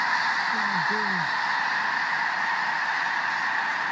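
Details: Huge wild snow goose flock in South Dakota: two close, downward-sliding honks stand out early over a constant dense chorus of thousands of calling geese.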